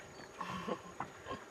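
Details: A stork-billed kingfisher, likely subspecies innominata, recorded from a boat at Santubong, Sarawak, Borneo, Malaysia, gives a few harsh, rasping call notes about every third of a second, over a thin, steady high whine.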